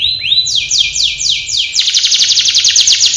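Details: Canary training song: rapid descending sweeps from high to mid pitch repeated several times a second, then a fast, even buzzy trill of repeated notes.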